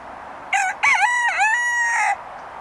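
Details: Rooster at Emma Prusch Farm Park giving one full crow of about one and a half seconds: a short opening note, then a harsh, wavering, drawn-out cock-a-doodle-doo with a steady middle and a falling end, over quiet background.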